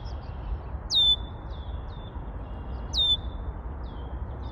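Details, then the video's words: Red-winged blackbird singing: a sharp, bright downslurred note flowing into a long, thin, steady high tone, the phrase given twice about two seconds apart, with softer high notes between and a low rumble of background noise. "Red-winged Blackbird singing"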